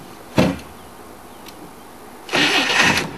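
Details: A short bang is followed by quiet, then a louder burst of mechanical rustling noise near the end, with no animal calls.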